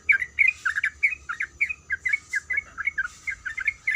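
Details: Female sooty-headed bulbul calling to the male: a steady string of short, bubbly two-part chirps, rising then dropping, about four per second, with a faint constant high whine behind.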